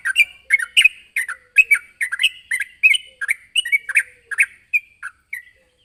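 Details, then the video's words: Sooty-headed bulbul calling out to challenge a rival: rapid, chattering bursts of bubbly, slightly harsh chirps follow one another several times a second, then thin out into a few softer notes at the end. "suara burung trucukan gacor memanggil lawan"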